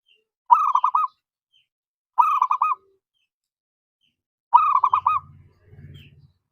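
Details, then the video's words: Zebra dove singing to call a rival: three short, evenly spaced bursts of fast, trilling coo notes about every two seconds, followed by a faint low rumbling noise at the end. "Suaranya Memanggil Lawan Bikin Emosi & Nyaut"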